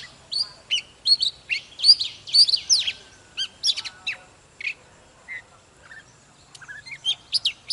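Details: Oriental magpie-robin, an old wild-caught bird in excited morning song: a lively burst of bright whistles and chirps for about three seconds, then sparser single notes and a short closing flurry of high twitters.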